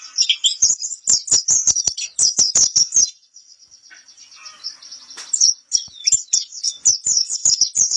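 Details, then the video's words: Pleci kapur white-eye song: bursts of very high, rapid chirping twitters in quick succession, a near-silent gap with a thin sustained tone, then the fast twittering resumes. "suara burung pleci kapur"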